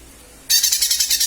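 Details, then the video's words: Lesser green leafbird calling as a lure: a sudden loud, harsh, rapidly pulsed high chatter starting mid-clip, throbbing about seven times per second. "Pancingan suara cucak ijo mini/ijo mini memanggil"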